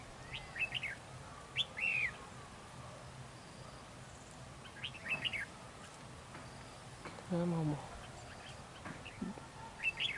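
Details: Red-whiskered bulbuls in a territorial fight at a decoy trap: short bright whistled notes repeated roughly every one to two seconds, a brief burst of human speech midway, over steady outdoor background hiss.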